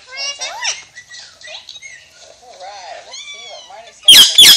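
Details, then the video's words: Talking Alexandrine parakeet babbling a long string of speech-like syllables, some wavering and rising, followed by two sharp, very loud screeches. "Pakistani Ringneck Parrot Talking"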